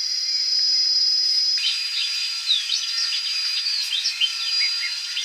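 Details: Greater double-collared sunbird (Cinnyris afer) foraging at Royal Natal, South Africa, 16–17 November 2022, gives a rapid jumble of high, thin twittering notes over a steady high-pitched insect drone.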